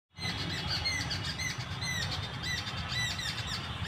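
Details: Several birds in a garden at Bundelkhand University, Jhansi, giving quick high chirps and short downslurred whistles in rapid, overlapping succession, with a steady low rumble of background noise beneath.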